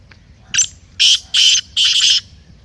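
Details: Black francolin calling, a sound used to stir a caged francolin to call. One short rasping note, then three loud, harsh, broadband bursts close together, the last one doubled.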